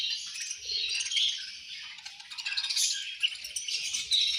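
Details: Flock of budgerigars, described as angry, at lunch time: overlapping high chirps and rapid warbling chatter form a steady bright wash, swelling and easing over a few seconds.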